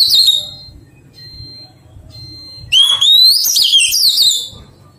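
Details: Oriental magpie-robin, wild-caught and being tamed, ends one phrase, then a thin steady tone sounds twice. A loud song phrase follows with a rising whistle and a rush of fluty, jumbled warbling.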